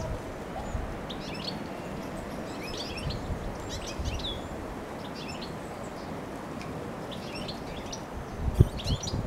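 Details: European goldfinch recorded on 23 March 2020 gives quiet, twittering bursts of high, liquid notes every second or two over a steady low rumble of wind.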